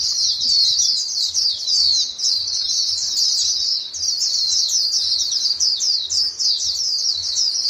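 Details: White-eye flock calling back and forth: a steady stream of high, thin twittering notes, many birds overlapping in quick sweeping chirps, over a faint low rumble in the background.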